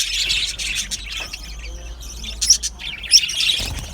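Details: Australian budgerigars in an aviary colony: high, scratchy chirps and brief squeaky notes in scattered bursts, two sharper peaks near the end, with a low background hum.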